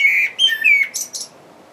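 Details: Common blackbird singing from up in a tree: a clear fluted whistled phrase sliding downward, then a squeaky high twittering flourish to finish, over a quiet background.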